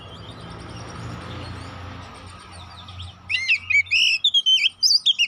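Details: Oriental magpie-robin song used as a lure to provoke another bird into fighting. After about three seconds of low rumbling background, bursts of rich, varied whistles and sharp chirped notes follow in quick succession.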